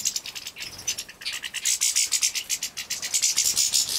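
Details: Captive-bred European goldfinch young begging while fed, Poland, 2017: rhythmic pulses of piercing, buzzy high chirps, about four per second, building into a steady excited chorus.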